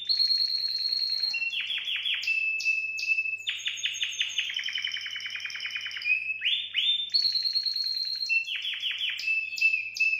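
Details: Singing canary stimulating females to mate, with unbroken loud high-pitched song: quick pulsed trills, long flat whistles and bursts of sharply falling notes cycling through in varied phrases.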